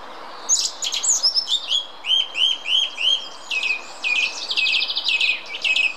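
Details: Song thrush singing at the Munich Botanical Garden in Germany: a sharp high scratchy opening, then four repeated short rising whistles, followed by a fast chattering trill-like run of squeaky notes.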